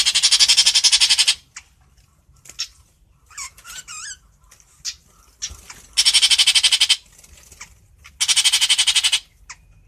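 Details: Long-tailed shrike calling its flock with three loud, grating, pulsed rasps, each about a second long, spaced by quiet clicks and a brief warbled, sweeping whistle in between.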